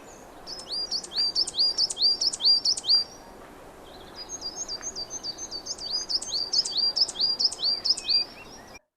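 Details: One song variant of the Coal Tit: rapid, thin, high-pitched two-note phrases in two bursts over two seconds. It is higher, thinner and less robust than a Great Tit's song, with faint background hiss.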